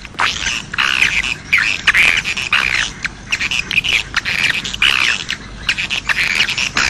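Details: Grey-breasted prinia calls used for luring wild birds: dense, scratchy chattering bursts repeated rapidly throughout, with sharp buzzy notes and brief pauses between phrases.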